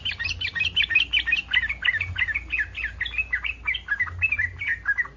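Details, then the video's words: Yellow-vented bulbul in breeding mood, the call meant to make rival bulbuls respond: dense, lively bubbling notes tumbling one after another for five seconds, slightly descending in places. "SUARA BURUNG TRUCUKAN BIRAHI 100% BURUNG TRUCUKAN LAIN AKAN RESPON"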